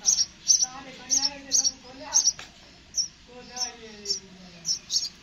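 Sparrow giving short, high chirps, often in quick pairs, repeated about once a second, with a faint voice murmuring in the background.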